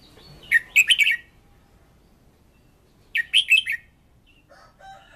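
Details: Decoy red-whiskered bulbul in fired-up voice-training song gives two lively phrases of rapid, clear chirping notes about two and a half seconds apart, with a faint warbling at the end.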